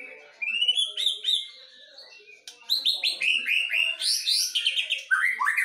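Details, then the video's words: Medan and Nias forest white-rumped shamas in a song duel: bright, varied, fast-paced whistled and chattering phrases climbing high, one voice answering another. "DUEL SERU mb MEDAN vs NIAS hutan"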